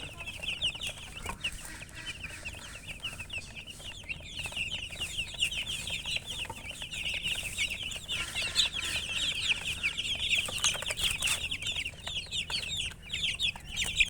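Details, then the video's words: Chickens chirping steadily for fourteen seconds, a thick chorus of high, twittering peeps that grows slightly louder and busier toward the end, with faint background rumble. "silly chicken chirping sounds"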